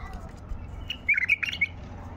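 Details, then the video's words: Wild white-eared bulbul, recorded during hand trapping, gives a brief bubbling phrase of several rapid whistled notes that rise and fall, followed by quiet, with faint low noise underneath. "اجمل تغريد بلبل بغدادي"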